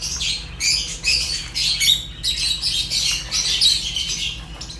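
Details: A group of Fischer's lovebirds, African lovebirds, chirps nonstop: high, scratchy, squeaky notes in quick bursts, some brief gaps between them, and a low steady hum in the background.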